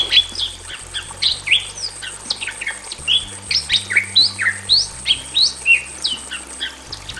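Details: Male and female Bali mynas in a simple aviary, loud and persistent: quick series of bright whistled notes, many slurred upward, repeated several times a second with little pause.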